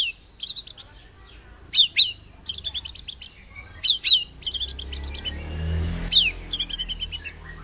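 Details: White-rumped shama rapid-fire song imitating cililin, meant to goad other birds into singing: staccato bursts of high repeated notes and sharp downswept whistles, with a low rumbling background noise midway.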